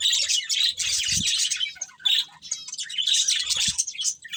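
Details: Colourful budgies, a breeding pair, warble steadily in fast, bright, scratchy chirps with short pauses and a couple of soft low thumps.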